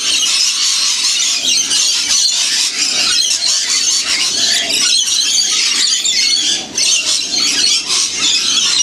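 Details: A large flock of wild lorikeets feeding in winter at St Clair in the Blue Mountains, about 30 km from Sydney, keeps up a dense, shrill screeching and chattering, with many harsh high notes overlapping without pause.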